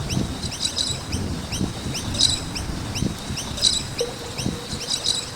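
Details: Several noisy miners around a skate park chirp busily, with short bright upslurred notes crowding together and periodic louder clusters. Low rumbling thuds and a brief hum appear below.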